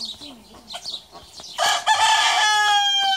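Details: Small, docile Japanese Bantam rooster crowing: after faint chirping and soft clucks, a loud, harmonic crow bursts in midway and holds as a strained, steady drawn-out note for over a second and a half.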